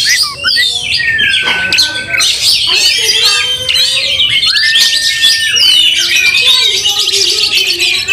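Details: Oriental magpie-robin in an angry fight, tail spread, goading other magpie-robins; rich high warbling and chattering over long steady whistled tones, including a clear level whistle held for about a second.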